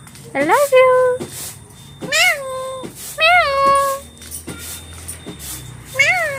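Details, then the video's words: Talking pet parrot; several loud drawn-out vocalizations with rising then level tonal pitch, rich in harmonics, repeated about once a second with gaps, plus faint background speech. "Talking Parrots"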